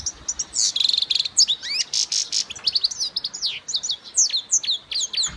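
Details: European goldfinch singing: quick liquid twitters, bright upslurred and downslurred notes and short buzzy trills, high-pitched and rapid, with brief pauses between phrases; no other sounds stand out.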